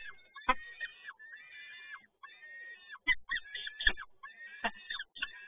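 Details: Toruń, Poland, 7 May 2022: a peregrine falcon gives a steady run of harsh, drawn-out wails during the male's prey delivery, with occasional sharp clicks and bumps.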